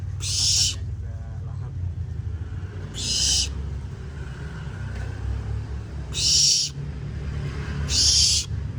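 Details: Hand-fed juvenile barn owl under taming, feeding eagerly with wing feathers coming in; four loud rasping hiss bursts roughly every three seconds, each noisy and breathy, over steady low rumble and faint speech.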